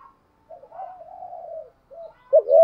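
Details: Spotted dove used as a lure to provoke wild birds. A long, soft, drawn-out wavering coo, then a short note, ending in one loud, deep upslurred coo.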